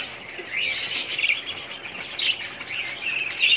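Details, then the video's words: Budgerigars in a breeding colony, 2017: a dense chorus of high chirps and warbling twitters overlapping without pause, with brief sharper squeaks rising above the flock. "budgies parrots colony progress update 2017"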